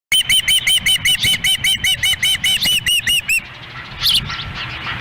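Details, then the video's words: Osprey chicks at a nest in Lolo, Montana, on a windy June 10, 2017, as the female feeds them with the male standing by; rapid run of short whistled downslurred chirps, about two and a half per second, then a thinner squeal amid wind. "Dunrovin Ranch Ospreys ~ A Windy Day Feeding"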